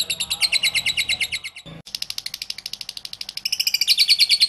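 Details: Lovebird singing its ngekek song, a recording meant to lure other lovebirds into singing: a fast, high, rattling chatter of evenly spaced pulses, broken by a brief pause and then resuming at a sharper, higher pitch.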